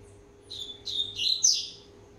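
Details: Rusty-collared seedeater aged one and a half years warming up: several quick whistled and slurred notes climbing in pitch, ending in a high bright burst, with a constant low electrical hum beneath.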